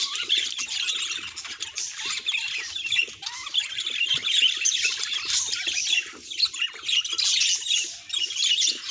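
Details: Budgerigar calls, described as signs of the bird's emotions: dense, continuous high-pitched chattering and warbling with scratchy notes, dipping briefly near the middle before rising again.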